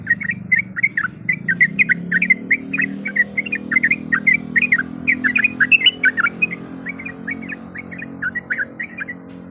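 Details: Yellow-vented bulbul, female calling a male to provoke a rival: rapid series of bubbly whistled chirps, loudest in the middle and thinning toward the end, over a low rumbling background drone.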